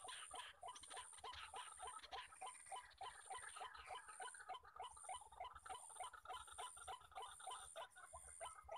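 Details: Wild white-breasted waterhens at a crowded trapping site, the males calling on every side and ignoring a lure bird; steady run of short gruff croaks roughly three each second, with a shrill insect drone repeating in bursts behind.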